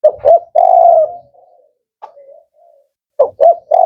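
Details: Male spotted dove of the 'Kuk 4' type, known for a firm, rhythmic voice, giving two clipped coos and a long hollow note, then fainter trailing notes and a fresh start of short coos.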